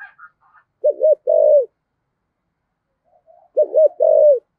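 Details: Spotted dove singing in the thổ voice style, used to stir wild-caught doves into cooing back: two low, hollow coo phrases, each a quick wavering double note then a long, steady falling coo, with faint high chirps at the start.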